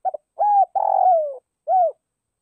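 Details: Spotted dove used as a decoy bird, calling to lure others: a short stuttered note, then a long level coo, a longer coo falling at the end, and a final arched coo, all low and mellow; quiet background.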